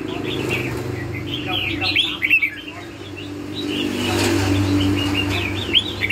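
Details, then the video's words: Red-whiskered bulbul, lân hầu bò style, gives bursts of sweet whistled chirps, then a pause and more phrases near the end, against a rumbling low background. "CHÀO MÀO LÂN HẦU BÒ"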